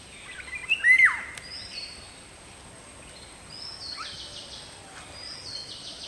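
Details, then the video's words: Indian golden oriole giving one short, fluty whistled phrase that swoops down near the start, then quieter high chirps and trills from other birds over a constant faint hiss. "Indian Golden Oriole / Video & call"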